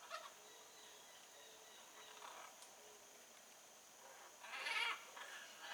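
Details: Blue-and-yellow macaw in the wild, giving one loud, harsh, raspy squawk near the end, preceded by fainter grating calls, over a steady high-pitched background hiss.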